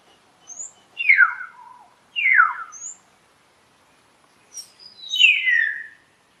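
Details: Common hill myna repeating a harsh, steeply falling call, twice in quick succession and then once more after a gap. Brief thin high notes come in between, over a quiet background.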